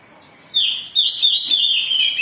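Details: Agitated Oriental magpie-robin in full song, used as a lure to provoke other birds to sing: after half a second of quiet, a loud run of high, sweet whistled notes with quick slurred and warbled phrases.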